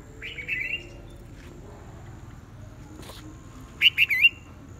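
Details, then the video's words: Red-whiskered bulbuls in a morning singing contest: a short warbled phrase near the start, then after a quiet gap a louder burst of three quick, bright, looping notes, over a low steady background hum. "Buổi sáng chào mào hót đấu"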